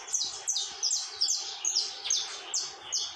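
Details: Saffron finch in tormento song: piercing high chips delivered in quick pairs and clusters, about two to three per second, each note sliding down, with a low hum behind.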